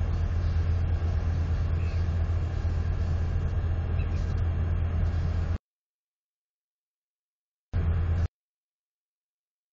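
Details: Loud low rumble of vehicle-like noise that cuts to silence after about five seconds, returns briefly, then stops.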